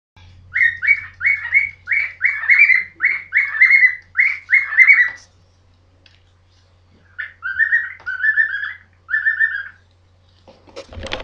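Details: Two pet birds indoors, one whistling its song while running around the room: bursts of clear, warbling whistled notes in quick succession for about five seconds, a pause, then three more whistled phrases and a clatter at the end.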